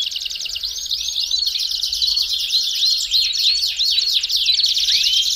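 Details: Belgian canary singing to warm up a canary: continuous buzzy trill under a string of arching whistled notes repeated several times a second.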